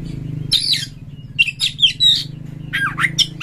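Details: White-rumped shama prompting song for getting other shamas to sing: scattered harsh, scratchy bursts and short sharp whistles with gaps between, over a constant low hum.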